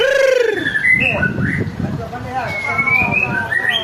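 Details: White-rumped shama singing as a lure for other birds: opens with a low rich downward-curving whistle, then quick upslurred notes and a thin rising whistle near the end, over a low background hum.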